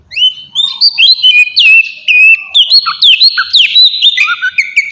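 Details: Lure song of an oriental magpie-robin meant to provoke a reply from other birds: a rapid, continuous run of varied clear whistles, swooping up and down, with sharp chirps between phrases, about two notes a second.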